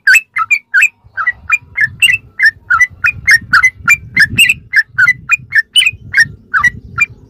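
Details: Sooty-headed bulbul singing in ropelan style as masteran tutor material: a long run of clipped, bubbly whistled notes, about three per second, with soft low background noise throughout.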